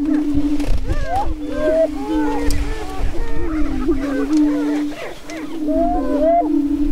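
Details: Spring mating dance of Greater Prairie-chickens on a northwest Minnesota lek near Crookston, April 27, 2013: a continuous low hooting drone overlaid by many arched, whooping calls and chattering cackles from several birds.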